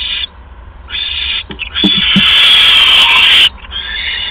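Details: Owl at the nest on the evening of 16 February 2015, 8:38 PM, as a second mouse arrives; short rasps, a few soft knocks and shuffles, then one long, loud, harsh screech lasting over a second.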